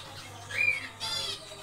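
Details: Zebra finches in a small aviary on the second day of nest building: two short nasal, harmonic-rich calls about half a second apart, with a steady low hum underneath.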